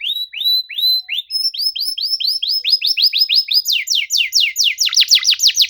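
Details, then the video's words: Canary song for prompting a silent bird to sing: repeated arched whistled notes, speeding up into rapid downward-sweeping chips that grow louder and faster toward the end. "PANCINGAN KENARI MACET GACOR NEMBAK RAPAT CUIT CUIT DIJAMIN AUTO BUNYI KALO DENGER KENARI INI!"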